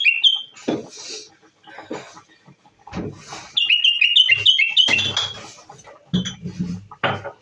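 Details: Moroccan bulbul singing a burst of quick whistled warbling notes mid-way, surrounded by clattering knocks, rustling and brief noisy bursts of handling sound.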